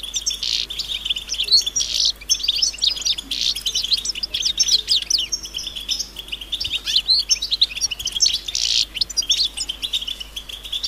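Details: European goldfinch chorus of mating and readiness calls that stimulate males to sing: steady high twittering and chirping, with repeated buzzy rasping bursts, clean background.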